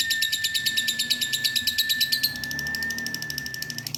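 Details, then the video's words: Female lovebird giving a long ngekek chatter: rapid harsh pulsed notes, about eight per second, loud for two seconds and then fading, over a steady thin tone that runs through most of the recording. "Lovebird betina ngekek panjang"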